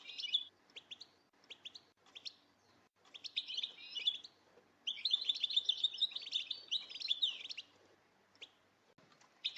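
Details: Female European goldfinches call together in the batbata style used to stir males into song: scattered high chirps build into a long, dense run of fast twittering, then fade to sparse notes and a final burst.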